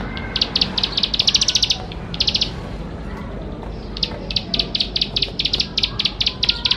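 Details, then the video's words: Ciblek sawah, the bar-winged prinia, in vigorous full song meant to prompt young birds into voice: a dense high rattling burst, a short gap of quiet, then renewed spaced, rapid chip series. "Ciblek Sawah Gacor Full Isian Mewah || Untuk Pancingan Ciblek Sawah Muda Agar Cepat Bunyi"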